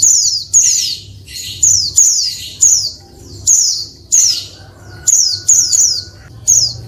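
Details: High, squeaky falling chirps from a female Oriental white-eye, sounded to make males respond and sing; irregular bursts, some in close pairs, with a low background hum.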